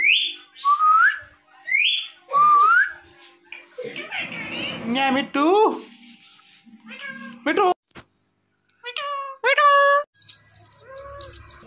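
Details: Pet green Indian ringneck parakeet talking, repeating its name "Mitthu": scratchy, high mimicked speech syllables with rising and falling whistled notes, interspersed with harsh squawks and short pauses.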